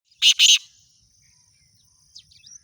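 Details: Black francolin giving two loud, harsh, grating notes in quick succession, followed by quiet with a few faint high chirps from other birds.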